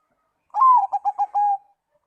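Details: One phrase of zebra dove song that is said to draw answers from other doves: a long gently falling coo, four quick staccato notes, then a long level trailing note, in a quiet setting.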